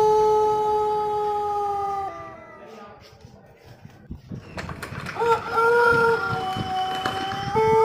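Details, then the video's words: Pelung cock, a Cianjur breed prized for long, tuneful crowing, calling to set off other roosters. One prolonged level crow ends after two seconds with a dropping tail. After a pause a second crow swells in, clear and sustained. "Suara Kluruk Ayam Pelung Gacor Untuk Pancingan"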